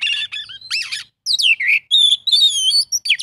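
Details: Oriental magpie-robin song with a full stuffed repertoire: rapid varied phrases of rich whistles, buzzy rasps and slurred notes, rising and falling sweeps, delivered in quick bursts with short pauses.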